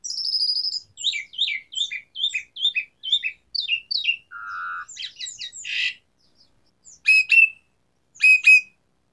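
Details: Asian pied starling (jalak suren) in lively 'gacor' song with varied 'isian' fill: a high buzzy opening, a run of short repeated chattering notes, a low steady whistle, then sharp squawky bursts separated by short pauses.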